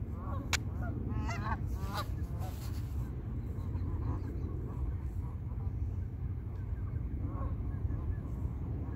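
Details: Geese on a pond giving a cluster of short nasal honks during the first three seconds, then a few scattered softer calls over a constant low rumble of background noise.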